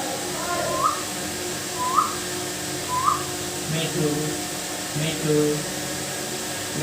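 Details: Indian ringneck parakeet, a pet talking parrot imitating human speech, repeating short rising syllables about once a second, with faint background hiss indoors.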